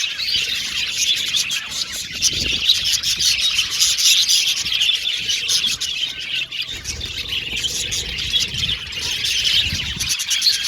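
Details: Budgerigar aviary colony in full voice: about ten seconds of unbroken high chattering, quick ticking chirps and occasional squawks layered together, with faint low rumbles beneath.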